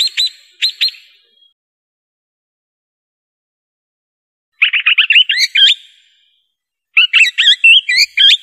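Swift parrot giving shrill, metallic high chirps: a quick pair, then two rapid runs of about eight notes, with silence between bursts.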